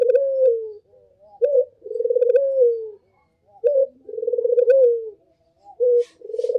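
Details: Barbary dove giving a lure call: a sharp short coo leading into a long, throaty rolling coo, repeated several times, with a brief rustling noise near the end.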